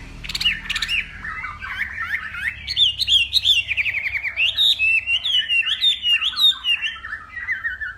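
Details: Hwamei from Vietnam's Northwest in a morning singing duel and voice practice: a rich, continuous run of loud whistled phrases, slurred up and down, with sharp high chips woven between notes and a steady low hum underneath.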